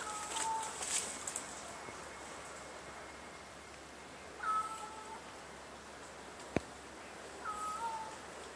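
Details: Crow meowing from treetops at McDonald Beach Park, Richmond, B.C., Canada, answering people calling a lost cat; three two-part cat-like mews, a higher note dropping to a lower one, spaced about three seconds apart, with light rustling and a sharp click.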